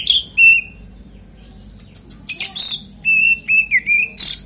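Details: Oriental magpie-robin lure song aimed at making other magpie-robins sing. Clear whistles open the phrase, a quiet gap follows, then a harsh burst and a string of short, evenly pitched whistled notes.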